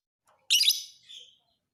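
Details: Shrill, scratchy chatter burst from a fighter lovebird used for training other birds, fading into a thinner trailing twitter after about half a second.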